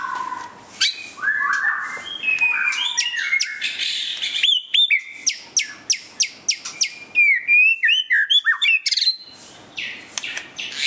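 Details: White-rumped shama singing while displaying: a varied run of whistled phrases, then a rapid series of sharp clicking and ticking notes, about three per second, with slurred whistles between them.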